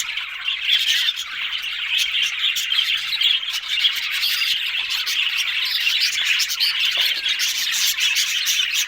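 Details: Talking budgerigars produce steady, dense warbling: rapid scratchy chirps and twitters layered together, with no silence between notes.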